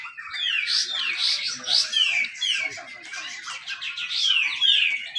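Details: Grey-cheeked bulbul competition song in the 'besetan rapet' style, recorded at a contest in Malinau, North Kalimantan, and meant to spur silent birds: looping, slurred whistles rising and falling in quick succession, with laughter nearby.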